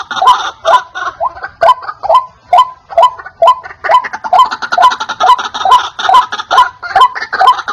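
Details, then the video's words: Loud lure call of a white-breasted waterhen for attracting wild waterhens: a long run of croaking, rhythmic double notes, evenly spaced around two per second, growing slightly fuller toward the end. "Suara asli ruak-ruak||pikat wak-wak"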